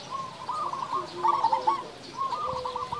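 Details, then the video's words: Loud local zebra doves singing in alternation: rapid trilled coo phrases roughly every second, bright and bubbling, with a long low coo trailing near the end. "perkutut lokal gacor suara besar"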